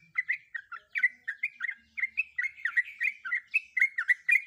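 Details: Sooty-headed bulbul, a female in breeding condition, calls to a male in a brisk, unbroken chatter of short chirps, about four per second, each note sharply bent up or down.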